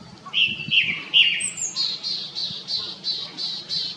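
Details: Wild Japanese thrush song: a few rich whistled notes open the phrase, then a fast run of about seven repeated higher, bright notes evenly spaced, over faint low background noise.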